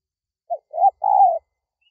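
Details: A single spotted dove phrase used to call in wild doves: a quick note, a rising coo and a long even coo, low and mellow. Quiet surroundings.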